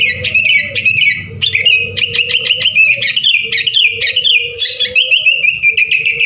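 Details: Sooty-headed bulbuls in a busy, continuous chorus meant to prompt other birds to sing: dense overlapping chirps and short warbled phrases, with a steady low tonal hum running beneath.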